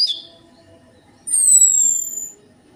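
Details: Orange-headed thrush lure song: a short high chirp, a quiet gap, then one long, pure, high whistle that falls slowly in pitch.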